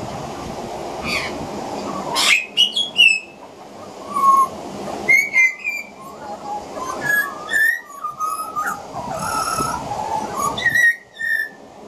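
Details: Two juvenile pied butcherbirds practising their songs: clear, flute-like whistled notes and short slurred phrases at shifting pitches, some rising and some falling, broken by brief pauses, over a low steady hum; a juvenile magpie practises carolling in the background.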